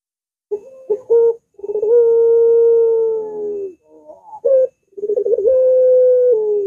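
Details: A puter dove sings its long arching voice, recorded as a lure for its own species. Sharp stuttered notes and rolling burbles lead into long steady hooting coos, two phrases in sequence.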